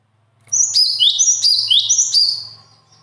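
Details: Naturally gifted singing bird runs one continuous two-second phrase of quick, high, repeated chirping notes that fade at the end, over a faint low hum.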